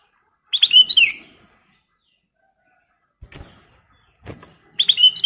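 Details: Sooty-headed bulbul in lively song: a quick bubbly phrase of liquid whistled notes, then two soft knocks, then the chattering phrase returns at the close.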